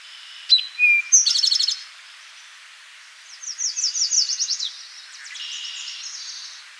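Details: At Rondeau Park in June 2013, an Eastern towhee gives sharp opening notes and a short whistle, then a quick buzzy trill; a second, longer series of slurred high notes and faint chatter follows.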